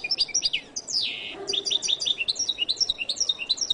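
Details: Short burst of jilguero latino goldfinch song: rapid high twittering notes, one drawn-out buzzy rasp, then a quick run of bright chirped notes repeated several times a second.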